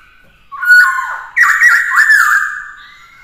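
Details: Black-throated laughingthrush whistling during training of a young bird to sing; a short level whistle, then a longer string of full, loud whistled notes wavering at a steady pitch before fading.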